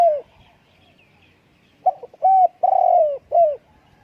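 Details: A spotted dove ends one phrase, pauses, then delivers a full coo sequence: a hesitant double note, a smooth hoot, a long throbbing coo and a dropping last coo.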